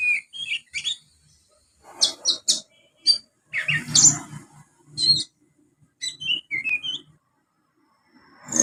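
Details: Ngriwik by a young Oriental magpie-robin using sparrow material: irregular, scratchy chirps and squeaks mixed with short whistled notes, with low rumbling noise in the middle.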